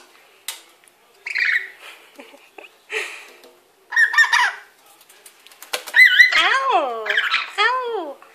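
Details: Pet lory bathing and playing in a kitchen sink with a wet cloth, giving harsh squawks and, later, rapid wavering warbled calls in a series; a person talks to it.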